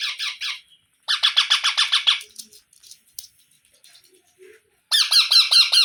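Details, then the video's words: Baby parrots giving harsh, raspy squawks in rapid repeated series, about three per second, in three bursts separated by short quiet gaps with faint clicks. "Baby Parrot Sounds"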